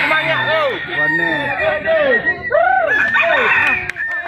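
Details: Red junglefowl crowing at a contest where the bird giving the most crows within a judged time limit wins; several overlapping arched crowing phrases, a thin steady high tone, and clapping from the crowd.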